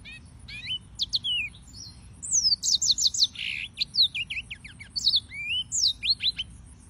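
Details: Yellow-fronted canary (Serinus mozambicus) singing: a fast, varied run of high whistled notes, steep slurred upsweeps and downsweeps, and short trills in quick bursts, with brief pauses between phrases over a quiet low hum.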